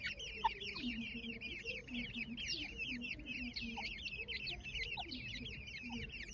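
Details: Grey francolin chicks among their family, female present: a steady stream of high, rising and falling peeps from several chicks, over soft, low, repeated clucking notes and a constant background hiss.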